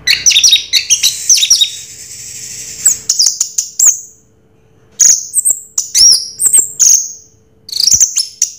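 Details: Song of an orange-headed thrush in the Raja Teler style: a dense, chattering rush of high notes, followed after a pause by separate ringing whistles and quick chirps.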